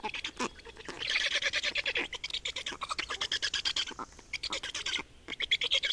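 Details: Black storks in Estonia at their nest, 28 May 2019 at 8:13, during nest change and feeding; loud grating rhythmic calls repeated quickly in long rows, with a high chirping bird briefly near the end.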